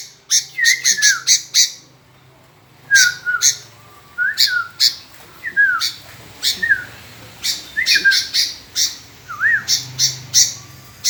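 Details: Sooty-headed bulbul repeatedly answering, giving short falling and curling whistled notes scattered among sharp buzzy chatters, with a faint low hum running underneath.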